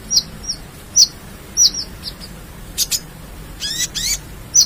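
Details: Ruby-cheeked sunbird (konin) with gacor full-isian song for masteran: sharp, thin high chirps spaced about half a second apart, with a couple of quick downward-sweeping twittering notes in between.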